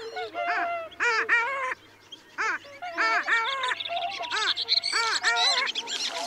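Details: Long-tailed ducks calling at Liepāja, Latvia, January 2024: bursts of arched, yodel-like nasal notes roughly every second or two, several birds overlapping, over a faint background hiss.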